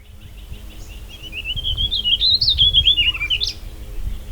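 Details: Warbling vireo (Vireo gilvus) recorded at Harvey County West Park, Kansas, sings one long, rambling warble of quick, slurred notes that rise and fall for about two seconds, over a faint low rumble.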